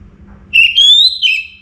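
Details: Orange-headed thrush from northern Bali singing before dawn, a single brief bright whistled phrase that climbs steadily and then drops, with a faint low hum underneath.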